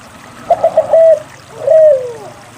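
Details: Spotted dove song used to stir reluctant doves into singing: three rapid short notes, a held coo, then a longer coo that bends downward at its end, over quiet background.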